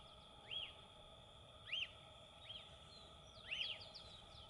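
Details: Wild lesser elaenia giving short, arched, slightly burry notes at irregular intervals, about four in total, with faint high chips of other birds and a quiet, constant hum behind.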